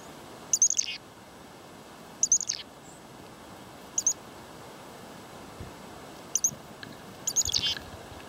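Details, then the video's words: Chickadees in a non-stop feeding frenzy, swarming and perching on the person feeding them, give short, high, thin chips and buzzy notes in brief bursts every second or two over steady hiss; two nuthatches also present. "Chickadee birds non-stop feeding frenzy"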